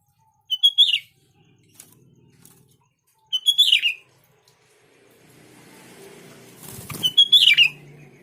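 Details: Sooty-headed bulbul song played to draw replies from other bulbuls: three short phrases of quick whistled notes rising into a slurred flourish, with wing flutter and rustling near the end.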